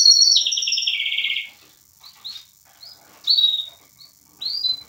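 A canary-linnet hybrid sings a bright, high trill descending in steps for over a second, then adds short twittering notes and chirps with pauses between.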